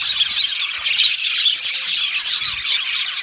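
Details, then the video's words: Many budgies kept together in an aviary chatter nonstop: high, buzzy warbling mixed with quick squeaky chirps in an uneven, crowded stream of sound. "Budgie parrot chirping sounds"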